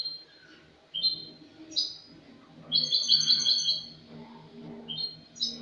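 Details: European goldfinch of Spanish type, a bird from the previous year, in clean 'cante limpio' song, 22 August 2018: high liquid twitters opening into a rich rolling trill, then scattered chips, with soft low hum behind.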